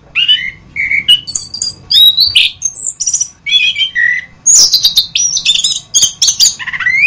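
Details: Masteran song of an orange-headed thrush: clear whistled notes at varied pitches, steady high held tones, and clusters of sharp clicks and chirps, ending in a descending slurred phrase, over a low hum.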